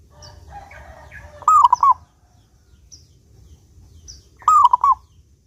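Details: Zebra dove of a local strain in full, clear voice, used as a lure for other doves: two cooing phrases three seconds apart, a sustained note dropping into short clipped coos, with faint chirping from other birds between.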